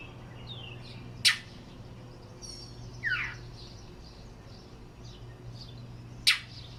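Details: Male Northern mockingbird perched on a home roof at Stoneridge Farms, Yukon, Oklahoma, calling rather than singing, thought to be protecting a nest close by; sharp clicky chack notes several seconds apart and one raspy falling note, faint other birds and low hum behind.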